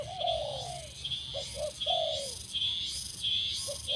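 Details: Spotted dove being trained to call quickly on a branch as a decoy, giving low mellow coos in a falling phrase, repeated, while shrill insect-like buzzing and hiss pulse loudly above.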